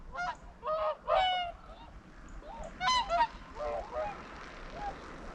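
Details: Swans in flight passing over a lake on Rügen under a grey sky: several loud, hoarse honks in quick pairs, then a pause and more honks fading away, with a soft wind hiss behind.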